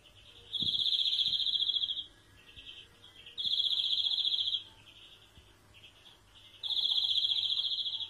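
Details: A European greenfinch sings long, nasal, buzzy wheezes, each about a second and a half, repeated every three seconds, with soft twittering between.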